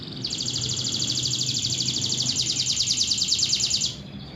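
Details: Local canary from Indonesia giving a dense, steady high trill of quickly repeated metallic notes lasting nearly four seconds, then falling silent; soft low background rumble.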